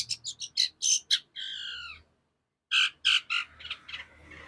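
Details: Long-tailed shrike, a caged Indonesian contest bird, giving rapid harsh squawking notes and a drawn-out nasal phrase, a short silence, then more loud grating calls.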